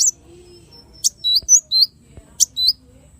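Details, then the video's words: Small bird song used for training other birds, with many variations: high, thin whistled notes and quick rising chirps, with sharp clicks between phrases. "MASTERAN BURUNG KECIL FULL TEMBAKAN VARIASI MEWAH"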